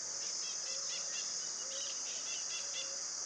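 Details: Common tody-flycatcher recorded at Itatiba, São Paulo, Brazil, on 4 March 2018 at 09:00, giving a quick series of dry ticking notes, about four per second, over a loud steady insect drone and a faint low whistle.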